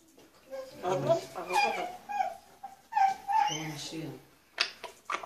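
A grey parrot gives a string of voice-like, warbling and whistled notes with speech-like inflections, then a few sharp clicks and squeaks, indoors.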